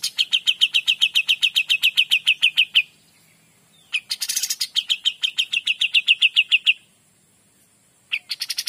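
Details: Kapas tembak or Cream-vented Bulbul, singing 'gacor dor': a long train of crisp, evenly spaced chips, a gap, a burst with a rough buzzy note, another fast chipping run, then silence and a fresh start.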